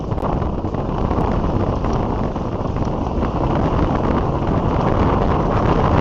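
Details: Strong wind buffets the microphone in a steady, heavy low roar, with no animal calls heard.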